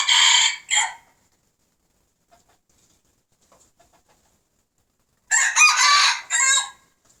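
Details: Old and young red junglefowl cocks crowing together: a loud, ragged crow with a short tail note opens, near silence follows for several seconds, then a second strident crow rises in broken phrases.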